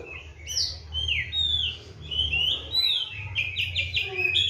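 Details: Bathed morning and evening and fed seven crickets, a kept Oriental magpie-robin (kacer) sings a continuous stream of bright, varied whistles, quick upslurs and downslurs and trilled notes.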